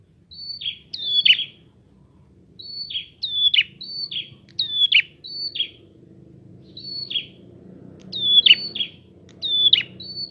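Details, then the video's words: Energetic prinia song played to stir other prinias into calling: rapid repeated phrases of a high level note followed by a sharp downward-swept chip, given in clusters every second or two over faint low background hum. "Prenjak gacor!!! Pancingan untuk burung prenjak bahan"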